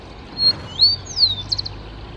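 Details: Grassland yellow finch (misto) uttering a few thin, high whistled notes: a short flat note, then two sliding, curved whistles, ending in a quick cluster of tiny clipped notes; faint low background rumble.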